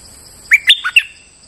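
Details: Bulbul lure song from a bird in moult yet singing as usual: a single loud phrase of four bright whistles, the third lower and softer, over a thin continuous electronic hum.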